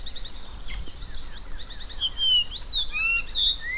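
Variable oriole singing clear, whistled notes that slide up and down, some sharply rising and others falling, over a steady high insect hiss and faint background chirps.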